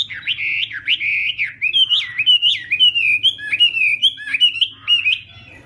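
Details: Chinese hwamei practising its morning song: a continuous run of loud, looping whistled notes, each phrase swooping up and down, repeated almost twice a second with hardly a pause.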